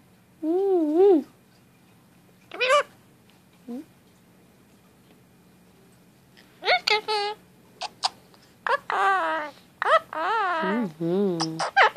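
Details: Indian ringneck parakeet, a pet male kept indoors, rambles through its random talking, wavering speech-like warbles and sharp squeaks, sparse at first then a dense run of chattering phrases near the end.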